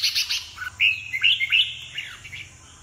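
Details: Red-whiskered bulbul kept as a pet bird, singing in a dominant, overpowering style while perch-dancing with spread wings; quick bright chirps lead into a sweeping warbled phrase that tails away, over a faint low hum.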